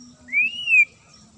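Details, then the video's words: White-rumped shama, a caged fighter bird in Indonesia, giving one clear, sharp whistle that rises and then falls, lasting about half a second, over a steady low hum. "AKSI MURAI FIGHTER 2 LENGKINGAN SUARA TAJAM & JERNIH"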